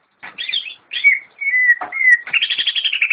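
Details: A caged greater green leafbird mixes scratchy warbled notes with long, clear whistles that drop slightly in pitch, finishing with a quick repeated chattering trill.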